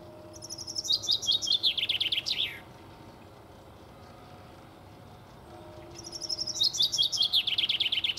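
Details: Common chaffinch singing: two full songs about five seconds apart, each a bright, rapid run of repeated whistled phrases that step downward in pitch and close with a short, sharp flourish.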